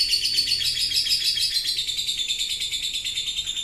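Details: Rapid continuous ngekek chattering of a lovebird, used as a lure: a fast, shrill, rattling trill held steadily throughout, with only slight dips and rises in pitch and no pauses.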